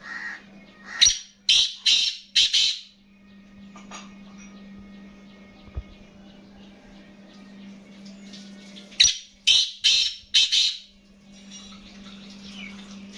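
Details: A caged black francolin calls twice, each time with a rhythmic series of four or five harsh, rasping notes, separated by about six seconds of quiet over a constant low electrical hum.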